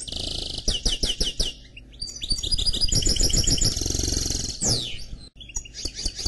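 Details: Canary x goldfinch mule song: a run of loud sweeping chirps, then rapid chattering trills, a sustained buzzy roll and a long falling slur, followed by more twittering notes.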